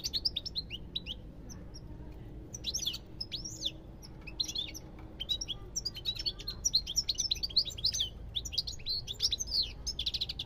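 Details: European goldfinch singing: scattered high chirps at first, building into a dense, tumbling run of liquid twitters and quick trills over the last half, faint hum underneath.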